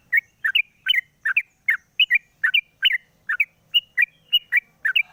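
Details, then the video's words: In the morning, with the cage cover taken off, a captive sooty-headed bulbul sings for a lure recording: lively, evenly spaced two-note chirps, swooping and bright, roughly two to three per second. "pancingan burung trucuk di pagi hari buka krodong bunyi"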